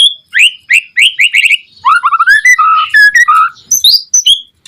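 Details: White-rumped shama singing loudly, used to provoke other shamas to answer: fast series of bright downslurred whistles, a run of lower rising fluty notes, then a few high sharp whistles.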